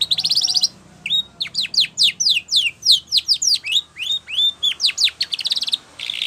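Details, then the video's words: Spanish Timbrado canary singing a training song: a dense run of rapid, sharply descending metallic notes and upslurred whistles, repeated several per second, with buzzy trilled bursts at the start and end. "Spanish Timbrado song For Training"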